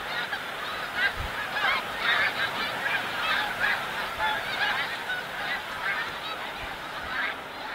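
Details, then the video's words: A large flock of migrating snow geese at Montmagny, Quebec, keeps up a dense, overlapping chorus of nasal, yelping honks, many birds calling at once throughout. "Oie des neiges / Snow goose"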